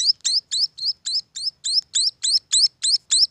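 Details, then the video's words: High, rising chirps from munia chicks, evenly spaced around three to four each second, bright and thin with clear gaps between notes. "suara anakan burung emprit"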